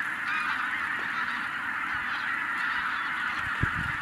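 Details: Tens of thousands of wild geese, startled by a white-tailed eagle, call together in a thick, steady roar of honks; a short low thump sounds near the end.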